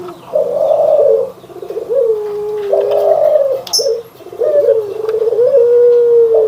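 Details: Barbary dove cooing, white and brown birds compared: long rolling coos alternating with shorter drawn notes, four phrases in a steady sequence, with a faint high chirp once.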